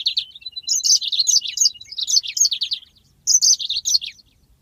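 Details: Yellow-fronted canary singing a long rolling master song used to train birds: dense, continuous warbling of high chirps and buzzy notes, a short break, then another burst of rapid twittering.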